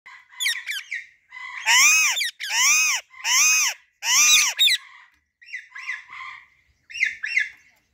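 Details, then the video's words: Female Alexandrine parakeet giving its natural calls: a run of loud, harsh, arched squawks in the middle, framed by shorter rising and falling chirpy notes before and after, irregularly spaced. "Female Alexandrine Parrot Natural Voice"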